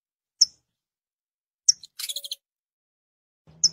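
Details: Saffron finch: three sharp, high chips spaced well apart, with a brief burst of rapid buzzy notes between them; quiet background.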